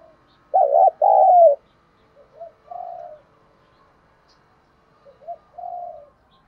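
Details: Spotted dove thúc gù cooing used as a lure: one loud two-note warbling phrase, then quieter distant coos repeated twice, each a short rising note and a longer one.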